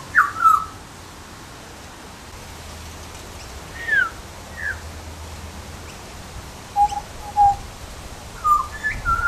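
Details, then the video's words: Butcherbird calling, a series of short clear whistled notes, some sliding downward, others flat and level, spaced irregularly through the recording with quiet pauses between and a low background hum. "Butcher bird call"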